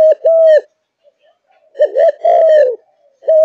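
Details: A single long coo opens, then after a silent gap comes a wavering, bubbling double note and a long, slightly falling coo. The singer is a Malaysian-type spotted dove in top form.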